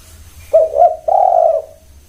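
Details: Spotted dove uttering one full coo: a pair of short, bouncy notes followed by a prolonged, even, soft coo that tapers off, with a quiet low hum in the background.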